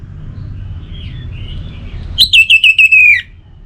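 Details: Orange-headed thrush song used to spur kept birds into singing: a loud whistled phrase of about seven linked notes stepping down in pitch over one second, after faint thin warbling and a low background hum.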